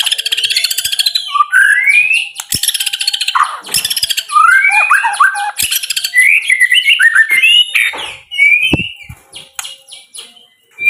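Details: White-rumped shama pouring out a loud, varied song of rich whistled slurs, fast rattles and harsh bursts, mixing rising and falling phrases, with brief pauses between outbursts.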